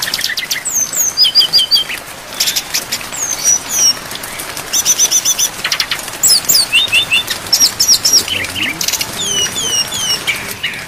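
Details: Brown-chested jungle flycatcher in a training recording full of filler phrases for songbirds, with rain sounds: dense, varied high song of sharp chirps, quick trills and slurred whistles in rapid bursts over steady rain hiss.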